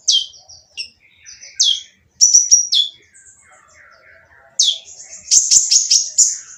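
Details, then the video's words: Sunbird with a rough, noisy voice singing to prompt others to answer, giving falling high chips, quick stuttering trills and a softer lower twitter, ending in a dense trilled burst. "konin yang diam malas bunyi akan nyaut jadi gacor setelah mendengar suara konin berisik ini !!"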